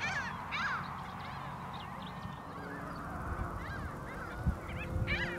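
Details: Mediterranean gulls in the Camargue, France, in May 2021, giving nasal, rising-falling yelping calls, several birds overlapping in quick bursts over a steady low rumble.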